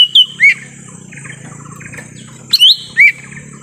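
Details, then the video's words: Short burst of lesser green leafbird calls from forest, used to lure wild birds: quick rising whistle followed by lower downslurred note, twice, over steady low background hum and faint chirps. "suara asli pikat cucak ijo mini di hutan"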